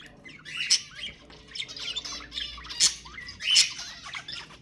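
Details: Budgerigars squawking and chattering to stimulate breeding: loud scratchy bursts with sharp peaks around every second, between softer rapid twitters.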